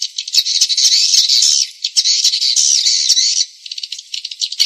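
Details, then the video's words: Sound used to lure swiftlets: long stretches of harsh, buzzy twitter, with quieter, flickering ticks between them and at the close. "suara panggil walet"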